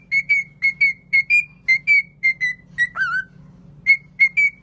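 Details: Pet cockatiel song made of bright, brief whistles, often in pairs, with one lower, wavering, downward-slurred note in the middle. A constant low hum runs in the background.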